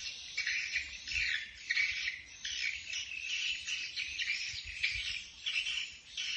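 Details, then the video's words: Swiftlets in Bình Định, Vietnam, in a flock-calling recording, chatter in a dense, continuous chorus of high, buzzy twitters and chirps, rising and falling in bursts every second or so. "ÂM THANH KÊU GỌI BẦY CỦA CHIM YẾN"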